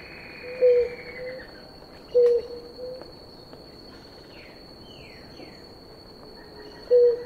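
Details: Blue ground doves, a pair drinking water, give three soft low hoots with a long pause before the last, while a steady insect buzz and brief higher descending sounds run behind.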